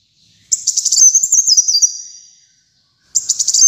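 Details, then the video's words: Energetic kolibri muncang sunbird song used for masteran and pikat: one shrill, fast chattering phrase stepping down in pitch and fading, then a new burst starts. "Kolibri Muncang Gacor Dor untuk Masteran dan Pikat Ampuh"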